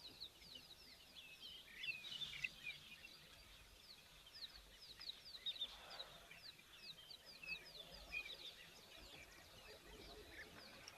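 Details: Several migratory European bee-eaters (Merops apiaster), newly arrived for the rainy season, fly overhead at an African waterhole on 21 December, giving a steady stream of liquid, rolling 'prruip' flight calls.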